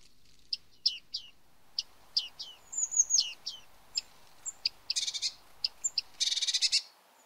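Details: Bearded reedling in reed beds calling: a run of brisk pinging notes and descending slurs, then high thin whistles and two buzzy rattled bursts near the end, one long and dense.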